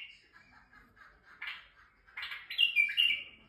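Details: A male white-eared bulbul in Turkey, singing to stimulate females. Soft jumbled chattering notes build into a louder, clearer whistled warble near the end.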